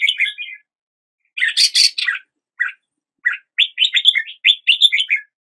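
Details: Red-whiskered bulbul singing: short bursts of rich, warbling whistled notes around the middle pitches, a loud bubbly phrase near the start, then a quicker run of choppy chirps at the end, with clear pauses between bursts.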